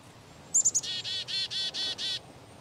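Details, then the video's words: One black-capped chickadee call: three sharp, very high introductory notes, then six evenly spaced, hoarse, buzzy dee notes over a quiet background. "Chickadee - dee - dee - dee"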